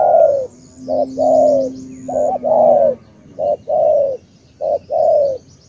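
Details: Spotted dove from Cà Mau, Vietnam, tú type, with regular coo phrases. Each is a short note or two and then a long, falling, breathy coo. A low steady hum sounds early on, with faint high chirps.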